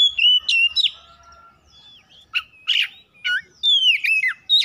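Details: Oriental magpie-robin kept at home, song used morning, noon and night to prompt singing: bright whistles and chirps, a harsh burst, then a long falling whistled phrase.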